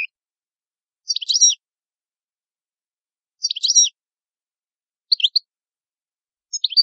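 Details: European goldfinch, described as an Italian goldfinch with fine song: short bursts of thin, high twittering notes repeated about every two seconds, separated by silence.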